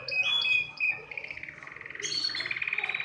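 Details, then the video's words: Short burst of canary song aimed at stimulating other birds: a few clear whistled notes sliding downward, then a quick buzzy trill of rapidly repeated pulses. "تغريد كناري يحفّز الطيور على التغريد"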